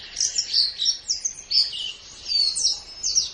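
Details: White-eye on a master recording for training songbirds: thin, high, warbled phrases of slurred twittering notes, pausing briefly before resuming, over a soft noisy background.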